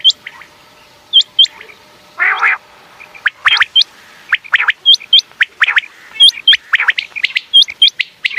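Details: Repeated high hooked quail notes in small clusters, with a coarse buzzy call early on and scattered lower chirps. Presented as a night-time sound for hunting.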